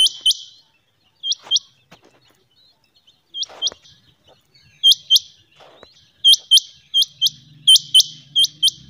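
Rain quail giving sharp, high, metallic notes, mostly in quick pairs, repeated every second or so, with a faint low hum near the end.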